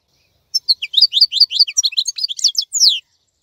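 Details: Caged European goldfinch singing a short run of quick, high, tinkling twitters and slurred chirps for about two and a half seconds, ending in a downward sweep.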